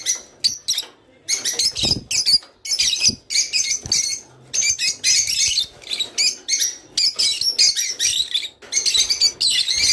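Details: Caged Java sparrow song, played to stimulate birds to mate: dense bursts of sharp, high chirps and clicking notes in quick runs separated by short pauses, with a few soft low thumps.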